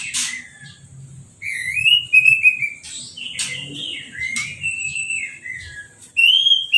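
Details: Orange-headed thrush just past its moult, singing right after a hose-spray bath without a cage cover. Clear whistled phrases, some rising and some slurred, come in quick succession, broken by short hissing bursts of water spray.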